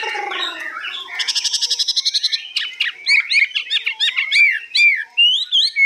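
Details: Caged hwamei, described as 85% tame and newly acquired, singing high with long phrases: a harsh buzzy opening, then a rapid run of pulsed notes, then loud varied whistled slurs, mostly rising and falling.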